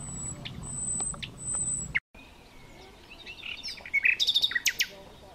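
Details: Thrush nightingale, the larger eastern European and Russian nightingale, singing: thin high whistles at first, then an abrupt break followed by varied chirps and a fast burst of loud repeated clicking notes near the end, over low rumbling background noise.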